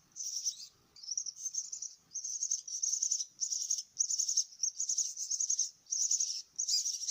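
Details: Myna nestlings begging as they are fed: a steady series of high, rasping trilled bursts, roughly every half second to second, with short gaps between.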